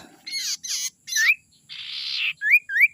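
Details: Young Common Iora of the forest, its call used to lure wild birds: three rasping bursts and a long buzzy rasp, followed by two bright, rising whistled slurs.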